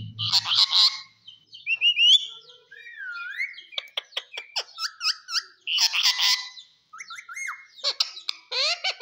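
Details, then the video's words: Talking green parrot indoors producing a varied string of sounds: buzzy broadband bursts, slurred whistles, rapid clicks and short chirped notes, with brief pauses between phrases. "parrot talk everything cute talking funny"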